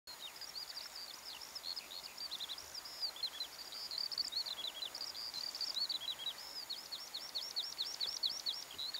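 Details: Skylark singing over Ardnish in March, spring, recorded from kayaks on a loch: a continuous high, rapid warbling stream of chirps and trills, unbroken for the whole stretch, with faint background hiss.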